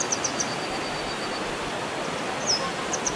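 Grey wagtail giving thin, sharp, very high 'tzit' notes, a few in quick succession with a brief faint trill, over a steady rushing hiss.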